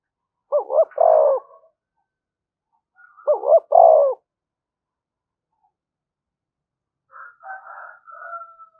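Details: Spotted dove calling to provoke other doves: two short hollow coos then a longer falling croo, the phrase given twice about three seconds apart, followed by a higher, buzzy, drawn-out call from another bird.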